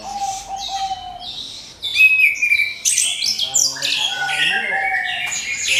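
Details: Orange-headed thrush lure song for prompting other birds to sing. A low steady whistle opens, then a rich, varied run of bright, high, slurred and buzzy notes that grows louder.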